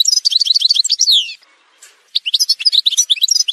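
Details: Algerian goldfinch, parva subspecies, pours out quick tinkling twitters ending in a downward slur, falls silent for under a second, then resumes an equally fast, bright jumble of notes; montage recording for tutoring goldfinches.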